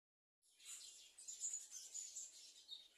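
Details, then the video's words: Bananaquit or plumbeous seedeater singing: after a short silence, a quiet, continuous high twittering song of thin, sharp notes with a few brighter accents, over faint background hiss. "sibite e patativa cantando"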